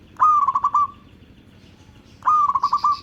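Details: Local zebra dove song used for luring other zebra doves: two short phrases of soft, bubbling cooing notes, each opening with a strong rising note and trailing into a fading hum, separated by about a second of quiet.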